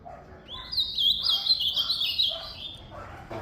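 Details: Ultramarine grosbeak delivering one rich, rapid warbled phrase of slurred whistles, rising at the start and tumbling down, with a soft low murmur and faint background noise.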